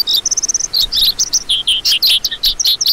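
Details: Short run of lark song: a fast buzzy trill of repeated identical notes, then scattered high chirps and warbling notes in a brisk, uneven rhythm.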